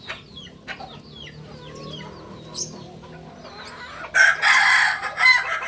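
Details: Kukuak balenggek cock from Solok, West Sumatra, begins a loud, bright crow in broken segments near the end, after a stretch of soft chirps and twittering from other birds.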